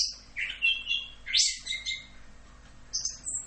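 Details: Orange-headed thrush tutor recording in the full 'Rock'n Roll' style for training songbirds: a few high slurred whistles dropping in pitch, a loud rising sweep, then quieter fragments and a final pair of high thin notes.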